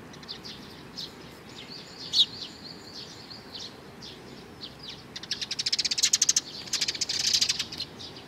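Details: Sparrows coming for food, 15 May 2019: scattered thin chirps open, then a rapid, evenly pulsed high chattering rattle runs for several seconds, followed by a denser buzzy burst of chatter.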